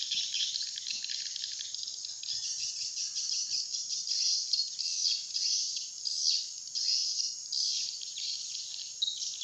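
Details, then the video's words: Swiftlet attraction call, "serangan udara" style: steady high-pitched twittering and trilled chirping in a continuous mass, pulsing gently in loudness, with a thin steady tone above. "Suara panggil burung walet serangan udara"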